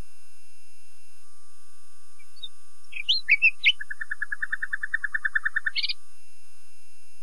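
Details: Nightingale song opening with loud, varied whistled and scratchy notes, then a long rapid rattle of low chips, closing on a high buzzy flourish.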